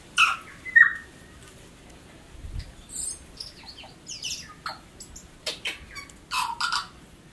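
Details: Tui, a great native New Zealand bird, singing: two bright whistled notes with a falling glide, then a chattering series of clicks and short twangs about every half second.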